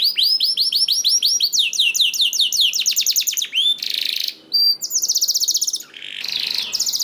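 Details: Canary song played as a lure to prompt other canaries to sing: rapid rolling trills of repeated high whistled and upsweeping notes, changing phrase every second or so, with brief buzzy bursts and short pauses, loud and continuous.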